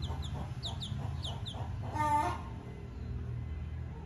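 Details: Chicken chick begging from its mother out of hunger, giving a quick run of thin, high, falling peeps, followed by one loud, lower harmonic call from an adult and low background noise.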